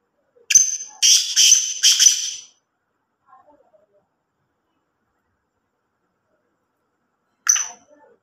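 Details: Black francolin (kala teetar) giving its harsh, grating call: a loud phrase of four rasping, ringing notes over about two seconds, then silence and a single further note near the end.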